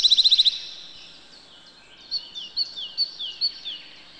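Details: Eurasian wren wintering in a yard alongside great tits, robins and sparrows: a fast rattle of hard, high ticks, then a looser run of sharp clicking notes about four per second, with faint chirps from other birds.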